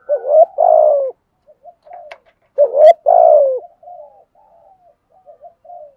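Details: Decoy spotted dove coaxing wild doves to call: two loud, deep cooing phrases about 2.5 seconds apart, each a short note and a drawn-out descending coo, trailed by soft, low murmured notes.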